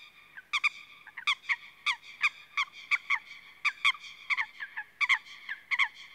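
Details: Eurasian coot (Fulica atra) uttering loud, abrupt, metallic 'pitt'-like notes, often in pairs, about twenty in six seconds at irregular spacing, against a quiet background.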